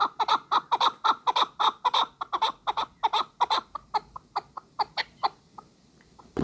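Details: Hunting chukar partridge calling in a fast rhythmic run of clucking double notes, then slowing and thinning to scattered single notes, ending with a sudden loud noise.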